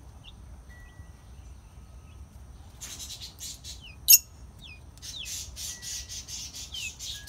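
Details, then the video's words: Chirping lovebirds: a quiet start with a few thin whistles, then from about three seconds a run of rapid high chirps and squeaky slurred notes, with one loud sharp click partway through. "Chirping love birds"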